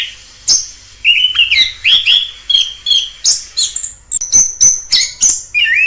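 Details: Orange-headed thrush in its wild habitat: steady series of clear rising and falling whistled phrases interspersed with sharp chips, about two phrases per second.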